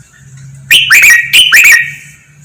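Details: Red-whiskered bulbul 'lak wai' training song with doubled phrases: two loud, ringing, whistled bursts about 0.8 seconds apart, each a quick tumble of notes, over a faint low hum.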